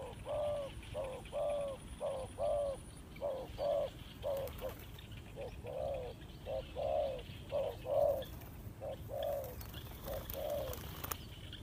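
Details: Spotted dove cooing, used as a lure bird for trapping: short low hooting coos, about two per second in uneven bursts with brief pauses, over a steady hiss and faint high background notes.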